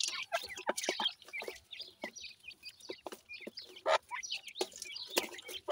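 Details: Baby pheasants feeding happily on new food: a stream of thin, high peeps and short chirps, many overlapping, some sliding up or down, with scattered clicks from pecking or movement.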